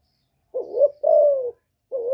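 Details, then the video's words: Calling female spotted dove, used to stimulate newly kept males: a mellow low coo, a quivering first note sliding into a sustained, gently falling croon, then the start of the next phrase after a short pause. No other sounds. "Tiếng Chim Cu MÁI GÁY kích trống mới nuôi hiệu quả,cu gáy mái hạp bổi,Cu đất mái gáy gọi kích cu nhà"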